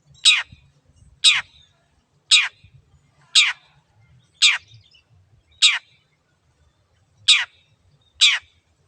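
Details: Shrike, used to provoke quiet birds into singing, repeating a single sharp, rasping downward note about once a second, eight times, with faint low background noise.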